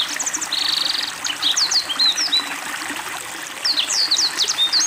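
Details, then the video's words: Kept Black-throated Canary singing strongly during water therapy: opens with a dry buzzy rattle lasting about a second, then scattered high whistled slurs and a rapid twittering burst at the end, with trickling water behind. "Blackthroat Gacor Dengan Terapi air"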